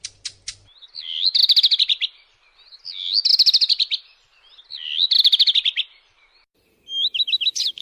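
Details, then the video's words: Redstart singing repeated rapid buzzy trilled phrases, each about a second long, delivered roughly every two seconds, ending with a quick series of short rising whistled notes. "صوت طائر الحميراء // Phoenicurus bird sound"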